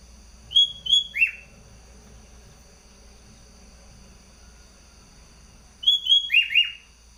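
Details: Competition sooty-headed bulbul from Bogor, caged, delivers a sweet whistled phrase, two even notes then falling slurs, heard twice about five seconds apart with quiet pauses and low background hum.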